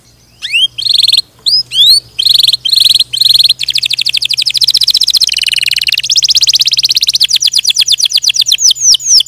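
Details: Singing canary. It opens with several upswept whistles, then gives short separated buzzy bursts, followed by a long rapid trill that shifts pitch several times and ends in fast falling sweeps. A faint low hum runs underneath.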